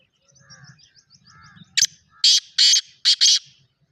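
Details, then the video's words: Black francolin calling in the morning: a sharp opening note followed by four loud, harsh, grating bursts in quick succession, after faint thin whistled notes from other birds at the start. "Kala tetar ki awaz"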